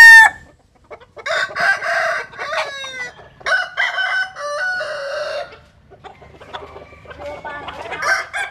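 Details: Jap Cuban bantam chickens sunbathing in the rural west, with crowing throughout. Several harsh, harmonic crows overlap and follow each other, with rising and falling notes, short gaps and softer clucking in between.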